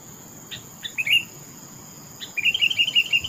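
Sooty-headed bulbul giving a few short chirps, then a bright, bubbling run of rising and falling notes, over a steady high whine in the background.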